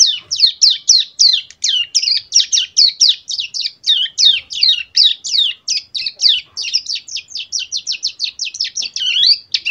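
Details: Caged young prinia, just over two months old, tutored with recorded Bar-winged Prinia song and AK47 fill, practising a fast run of sharp, high chirps and downslurred notes repeated several times a second without pause.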